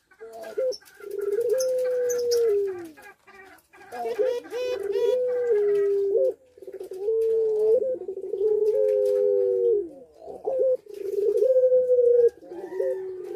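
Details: Caged puter pelung doves in breeding condition at a breeding aviary in Sukorejo, Situbondo: long, level coos with a slight rise, each ending in a falling slur, repeated in overlapping phrases with brief gaps.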